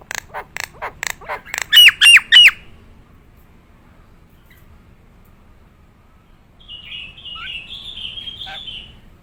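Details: Nias hill myna in gacor singing form: a rapid series of sharp clicks builds into three loud ringing whistled notes, then a pause, then a rough buzzy warbling phrase.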